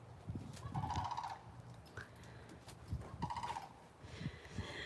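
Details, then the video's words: Unseen, distant Florida sandhill crane gives two brief rolling, trumpeting rattles about two seconds apart, over low rumbling background noise and a murmur of voice. "So, if you hear that sound, that's a Florida sandhill crane. I can't see it, but I hear it"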